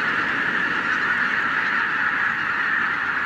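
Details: Massed honking of a wild goose flock of tens of thousands, startled into the air by a white-tailed eagle during the 2023 season. The sound is thick, constant and uniform throughout.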